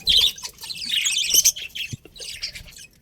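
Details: Budgies give a quick run of high, squeaky chirps and grating warble, strongest at the start and fading toward the end.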